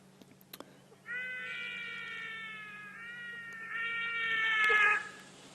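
A trumpeter hornbill gives a long, nasal, baby-like wail, held steady for about two seconds, then rising louder into a second drawn-out cry.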